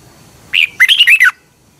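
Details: Song of a Red-whiskered bulbul in Thailand, used as a morning training recording for caged birds: a single rich whistle followed by four rapid, liquid, up-and-down notes with a descending finish.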